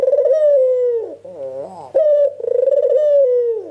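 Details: Lure call of a white Ringneck dove meant to provoke replies: two long rolling coos, each level then gently falling, separated by a short nasal, wavering note in a quiet room.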